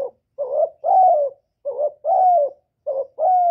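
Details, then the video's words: Spotted dove kept as a decoy, cooing to excite newly caught doves, recorded without background noise. Three rapid phrases, each a brief throaty note followed by a longer, drawn-out coo that slides downward, with barely a pause between them. "Tiếng Chim Cu Gáy Hạp Bổi Gáy Gọi + Thúc+Gù kích bổi mau nổi"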